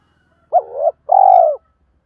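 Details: Spotted dove calling to challenge rivals, a decoy used to lure wild birds: one low cooing phrase, a short dipping note followed by a longer steady hoarse coo.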